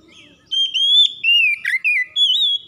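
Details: Oriental magpie-robin (kacer) singing in gacor style as a daily stimulation recording. High, clear whistles come in four loud bursts with slurred up-and-down notes and short pauses.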